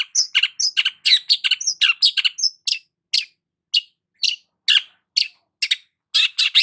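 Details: While it basks in morning sun, a long-tailed shrike delivers a rapid, varied run of high chips and trills, densely packed at first, then slowing into separate sharp notes spaced about half a second apart.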